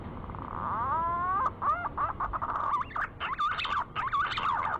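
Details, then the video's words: Male green pigeon calling a female, used as a lure recording: a slow rising whistle with harmonics, followed by a run of wavering, warbled whistled notes over a steady background hiss. "Pancingan suara burung punai Jantan memanggil betina"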